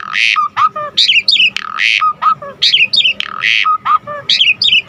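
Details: Asian pied starling singing vigorously, its song full of varied phrases and used to lure and tutor other birds. Broad harsh rasps alternate with low whistles and twisting high notes in a phrase that repeats about every one and a half seconds.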